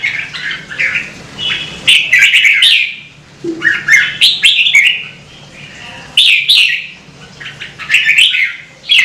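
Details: Red-whiskered bulbul repeating cheerful, liquid, chattering phrases in clusters about every two seconds. Brief quiet stretches separate the clusters, and sharp clicks accompany the song.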